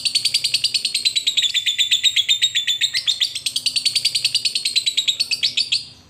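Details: Fighter lovebird calling out to a rival with a long chattering ngekek: a fast, even run of high, sharp, rasping notes, about two to three a second, held for around six seconds before fading. Quiet indoor background.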